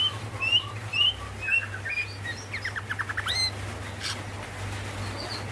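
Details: Female greater green leafbird calling to the male, giving bright, squeaky whistled notes followed by a fast stuttering series of short downward notes and a sharp rasp, with a constant low hum beneath.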